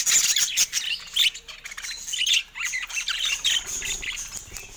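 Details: Several caged budgerigars chatter busily while going at a camera: scratchy squawks, quick warbles and high chirps overlap in a steady stream, louder at the start.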